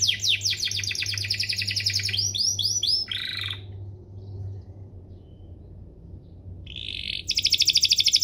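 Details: Canary singing for training young canaries: fast descending sweeps and rolled trills for three seconds, a pause with near silence, then a bright buzzy rattle resuming, over a low electrical hum.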